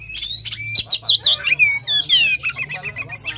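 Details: Captive-bird stimulation song of the Oriental magpie-robin: a lively, varied stream of rising and falling whistles, slurred phrases and harsh chips over a low background hum.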